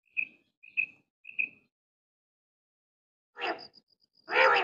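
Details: A single quail gives three sharp, liquid notes about half a second apart, followed by two bursts of rough, rustling noise; recorded in a quail-hunting context.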